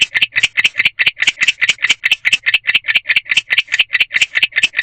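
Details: Male barn owl in a nest box by a drive at 1:21 am on 3/6/23, chirping to call a partner: a fast, steady train of raspy, broadband chirps, about two dozen in under five seconds, with a faint low hum beneath.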